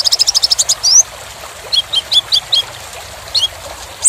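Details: Kolibri ninja sunbird, a tutor recording for training contest songbirds: a fast burst of high ticking notes, a rising squeak, then spaced sharp chirps over constant background hiss.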